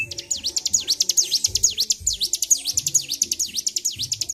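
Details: Agitated Bar-winged prinia, provoked to high excitement, recorded 26 February 2023, singing nonstop: fast, very high, sharply down-and-up sweeping notes repeated about five times a second in an unbroken string, with faint low thumps beneath.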